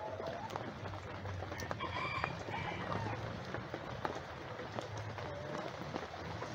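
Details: Backyard rooster crowing at a chicken sanctuary while free-ranging chickens forage for worms in a rain shower; a faint, drawn-out harmonic crow rises above the steady hiss of falling rain.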